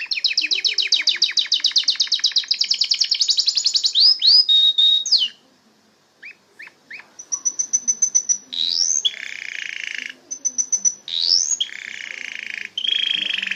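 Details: Canary in full song: a long rattling trill sweeping high, quick upslurred notes, a pause with soft chips, then bursts of pure high notes, rising whistles and buzzy rolling trills.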